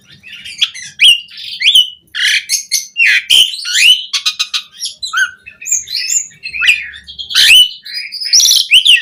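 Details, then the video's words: Jalak suren, or Asian pied starling, in 'gacor' song full of varied 'isian', recorded to tutor and stimulate starlings: a restless mix of harsh rasps, clear whistles and rapid rattling clicks in uneven bursts. "Suara Jalak Suren Gacor Full Isian Variasi"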